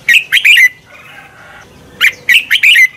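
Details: Red-whiskered bulbul singing in competition, recording used to train and stimulate other birds to sing; two bursts of bright chirpy, slurred whistled phrases separated by a quiet gap with faint background hum.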